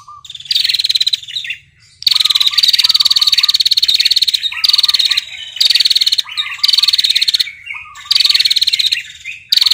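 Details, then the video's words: Calling for the male, a female prinia, described as red-headed, produces its drawn-out ngetirr trill. Dense, machine-like pulsed buzzes repeat almost continuously, broken by brief pauses and low paired chirps. "prenjak betina ngetirr panjang memanggil prenjak jantan"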